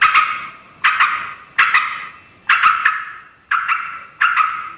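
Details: Yellow-vented bulbul giving loud calls meant to lure wild males and females; harsh, rasping bursts repeated roughly once a second, each fading away before the next.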